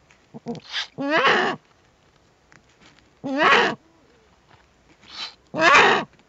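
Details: Eurasian eagle-owl at a nest webcam with owlets, 21 April 2020, giving harsh, raspy screeching calls, each about half a second long and repeated every two seconds, with shorter softer rasps between.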